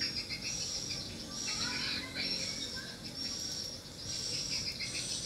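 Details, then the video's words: Swiftlets responding at a small bird house produce a steady, high, buzzy twitter, with surges of chirping that rise and fall in loudness. "rbw mini walet respon joss"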